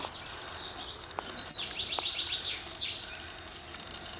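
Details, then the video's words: Common nightingale at Hullehavn on Bornholm, Denmark: two loud, pure high whistles about three seconds apart, with a softer rapid series of chirped, trilled notes between them over light background noise. "Nattergal ved Hullehavn, Bornholm"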